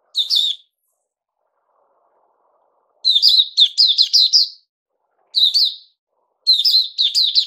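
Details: Kept bulbul known as Puteh Raja, given a fruit juice, mealworm and health-drink feeding trial, sings short bright warbled phrases. One brief burst opens, then a pause, then several clustered bursts and two more. The background is quiet.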